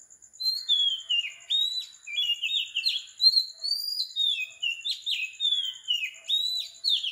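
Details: Oriental magpie-robin singing at 4 am on the tropical island of Sri Lanka: a continuous run of varied, sweet whistled phrases sliding down and up, with a steady high pulsing buzz in the background.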